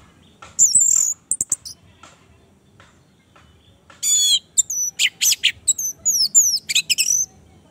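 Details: An Orange-headed thrush song, used to stimulate a silent caged bird to sing, comes in bright, varied high phrases: sweet whistles, rising and falling slurs and fast chattering notes, in bursts with brief pauses.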